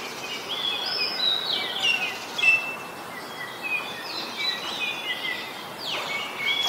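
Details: Common myna in Ubon Ratchathani, Thailand, on 15 December 2020, recorded with a Nikon P1000: scattered short chirps and slurred whistled notes, some rising and some falling, heard at irregular intervals over a steady hiss of outdoor background noise.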